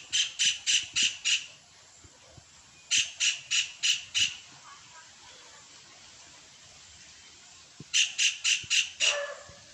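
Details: Kingfisher breeding song: three bursts of five rapid, shrill, high-pitched notes each, evenly spaced within a burst, with pauses of about two to four seconds between bursts, over a quiet background.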